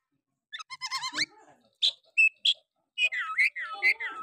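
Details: Oriental magpie-robin song used to rouse a quiet bird into singing: a rapid warbled run of wavering notes, then short loud whistled calls and a final rich chattering phrase with rolling slurred notes.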